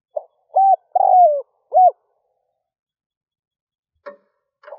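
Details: Spotted dove decoy cooing in early morning to lure wild doves: a soft intro note, then a low hollow coo, a longer coo sliding down, and a clipped final note, followed by two faint short sounds.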